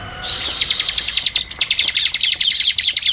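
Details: Bar-winged prinia, song played for training cage birds: a high buzzy rattle leading into a long, fast series of sharp ticking notes, steady low hum behind.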